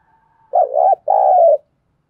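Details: Spotted dove coo from a lure bird calling other doves. A wavering first note is followed by a longer, smooth, level second note; a faint thin tone runs just before.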